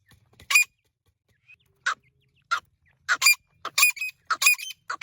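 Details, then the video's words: Irani teetar, a partridge, giving scattered, hoarse, clucking notes that start sparse and grow into quicker, doubled bursts toward the end. "irani teetar ki awaaz teetar sound teetar ki boli"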